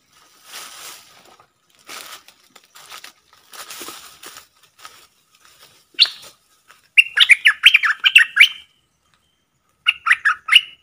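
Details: Caged decoy Streak-eared bulbul calling to lure wild birds, which circle without landing. Soft rustling and faint notes give way to bursts of rapid, harsh, chattering notes near six seconds, then a shorter burst near the end.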